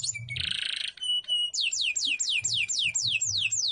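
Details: Domestic canary, 'gacor isian' song: a short harsh buzzy burst and thin held whistle, then a crisp run of about nine loud downslurred whistles, evenly spaced and fast.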